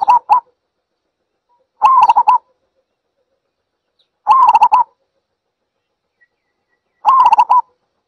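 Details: ['Zebra dove giving four short bursts of rapid staccato cooing notes, each burst about half a second long and spaced roughly two to three seconds apart, against otherwise silent background.']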